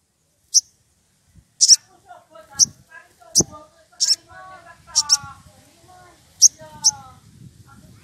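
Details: Excited wild woodpecker calling for a rival: high, sharp single and paired notes repeated irregularly, with soft warbling chatter from other birds underneath.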